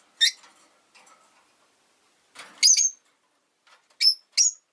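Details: Caged rosy-faced lovebirds, five kept together in a cage by a window in Japan, calling in winter: sharp high chirps in short bursts, two to three at a time separated by pauses, with faint quieter squeaks between.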